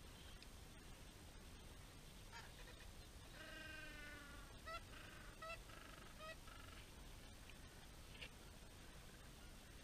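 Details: Gentoo penguins at Orne Harbor, a large colony as far as the eye can see. A burst of harsh, braying calls with stacked harmonics comes in pulses mid-clip, over a steady hiss of wind and surf noise.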